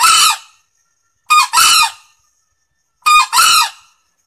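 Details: Loud crows of a male green junglefowl, recorded for luring birds in: each call is a clipped two-part note, a brief harsh burst quickly followed by a longer rasping one, repeated about every 1.7 seconds against silence.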